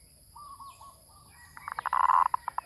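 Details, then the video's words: Zebra dove lure sound: soft faint notes at first, then a loud rattling series of short, rapid cooing pulses that run together and break into a few spaced notes at the end. "Suara pikat | MERBUK"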